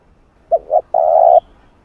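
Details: Spotted dove call for luring and training a decoy bird: a single phrase of two brief soft coos then a longer sustained mellow coo, in otherwise quiet surroundings.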